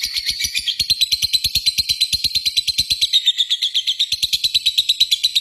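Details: Sustained ngekek from a lovebird: a high, grating, machine-like chatter of quick regular pulses, holding steady without a break for the whole stretch.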